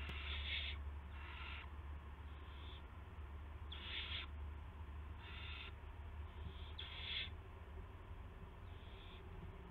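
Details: Owl carrying a gopher, recorded at 8:00 PM on March 18, 2016. Six breathy, screechy hisses of under a second each are spaced one to two seconds apart over a background drone.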